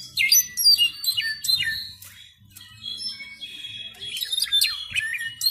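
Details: Juvenile Brown-backed solitaire practising a varied song: high, thin whistled notes with quick swooping slides and sharp downward sweeps in irregular bursts, pausing briefly midway, over a faint low rumble.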